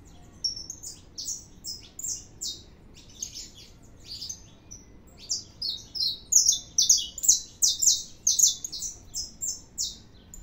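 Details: Saffron finch singing a lot, starting with scattered thin high chirps that build into a dense run of loud, rapid, buzzy high notes in quick succession toward the end.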